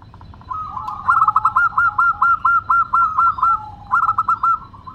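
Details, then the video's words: A local bird sings steadily in the crisp 'crystal voice' style. After a soft purring coo, this zebra dove delivers roughly eleven loud, clipped coo notes in a fast, even series, then briefly resumes with a few more after a short gap. "Perkutut Lokal Gacor Suara Kristal"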